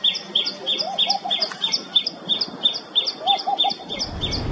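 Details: Common tailorbird singing a loud, rapid series of sharp, high, clipped notes, about three per second. A lower chattering from another bird sounds twice in the background, and a brief rumble of noise comes at the end.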